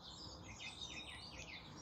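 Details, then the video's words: A song thrush sings from a distance from ash trees bordering a small urban garden in the morning: a run of short, high, arching notes about every half second, over steady background hiss. "Hear the song thrush."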